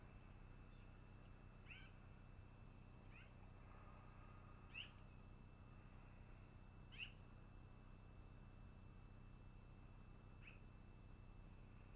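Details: Long-eared owl calling at the nest during the day: five short, scratchy, down-slurred squeaks at irregular gaps over twelve seconds, against a steady high tone and low hum.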